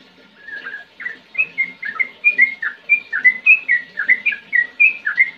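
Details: Yellow-vented bulbul (trucukan) singing in the lively ngetir ngerol style, a fast string of short whistled chirps and slurred notes, about four a second, some rising and some falling, with a faint low hum behind.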